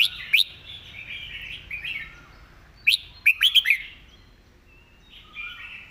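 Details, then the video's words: Clear master song from a cage-kept red-whiskered bulbul; flowing throaty warbles punctuated by two groups of piercing, staccato whistled notes, ending in softer trailing phrases. "จัดเต็ม"สำนวนดี ร้องชัดคำ เพลงแม่บท"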